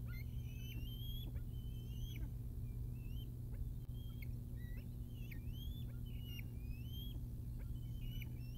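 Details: Two young bald eagles on their nest in Decorah North, around 8:20 a.m. on 9 July 2021, mobbing a parent arriving with food: a run of high, sliding whistles and short chirps above a constant low drone.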